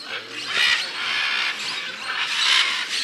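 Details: Scarlet macaws calling in Peru: three loud, rasping, noisy squawks spaced about a second apart over continuous hissing outdoor ambience, with a faint low hum early on.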